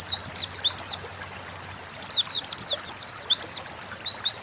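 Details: Sharp, high, slurred whistles of an Oriental white-eye, a quick burst, a half-second silence, then a longer tumbling run of rapid down-sweeping notes, used as a lure to make birds sing.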